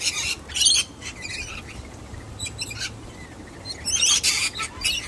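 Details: Harsh grating calls from a young wild sulphur-crested cockatoo uninterested in a hidden-nut trick: a loud rasping burst early, softer scratchy notes in the middle, then a louder cluster of screeches near the end.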